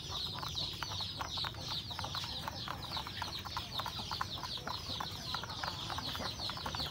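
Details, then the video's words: Rural household chickens, roosters and hens, feeding at breakfast; a thick, even chorus of rapid, high, falling peeps repeats several times a second, layered over clicking pecks and faint low noise. "Beautiful sound of chicken eating breakfast, Roosters and Cutest hen"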